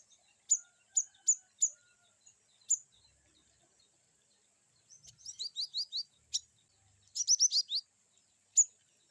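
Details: Cinereous tit (glatik batu) in a varied 'wucit' sequence meant as training therapy for another bird: several evenly spaced high chirps, a pause, then two rapid bursts of tumbling, trilled notes, ending with one more sharp chirp.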